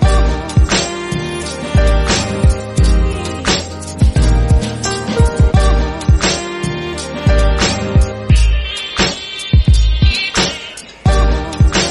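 Music with a steady bass-heavy beat and sung melody plays throughout, with no animal calls audible.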